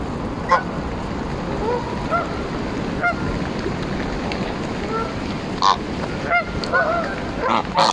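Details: Embden geese in Longton Park, Stoke on Trent, on 18 July 2022, being petted and fed; scattered honks and softer conversational calls spread across the recording, with a few louder sharp honks over background rumble.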